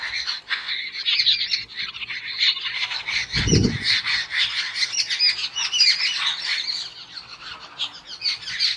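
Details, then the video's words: Several jungle babblers, described as fighting, keep up a loud, harsh, continuous chatter of squeaky, nasal calls, with one brief low thump partway through. "Jungle Babbler Loud Noise | Sound Effect Babbler Call || Fighting"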